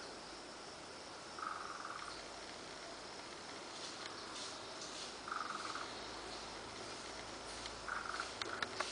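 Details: A female Surucua trogon in Corupá, Santa Catarina, Brazil, gives three soft, mid-pitched bursts of rapid notes, several seconds apart, over a steady, shrill insect chorus.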